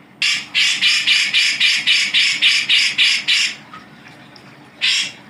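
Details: Grey-cheeked bulbul, known locally as cucak jenggot, recorded as masteran for tutoring other songbirds: about a dozen harsh, raspy chattering notes in quick even succession, a brief pause, then one more rough burst.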